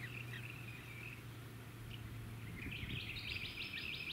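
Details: A Rainbow bee-eater (Merops ornatus) at Bribie Island, Queensland, in November 2018 gives rolling, trilled prrp calls, a short run early and a quicker burst at the end, over a steady low hum of wind and suburban noise.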